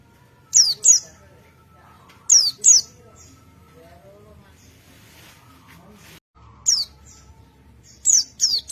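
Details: Wild forest white-eye calling in response to another white-eye: pairs of thin, piercing, downward-sweeping notes. Long quiet gaps separate the pairs, with faint chirps and a low rumble behind.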